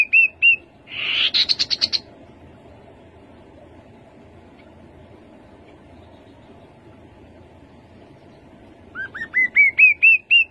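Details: Short piping whistles from a rufous-capped babbler, then a harsh, buzzy stuttering chatter. After a long pause comes a full phrase of about seven rising, upslurred notes that step higher each time.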